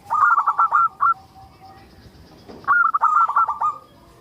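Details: Local zebra dove (perkutut lokal), a strong, lively singer, used as a lure to get other zebra doves singing: rapid stuttering bursts of clear, mellow cooing notes, two phrases separated by a pause and a faint click.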